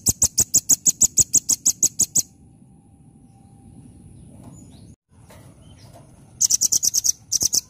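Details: A velvet-fronted nuthatch, or rambatan, in full 'nembak' song: two quick volleys of shrill, high, evenly repeated chip notes, about thirteen in the first burst, separated by a few seconds of quiet background hiss.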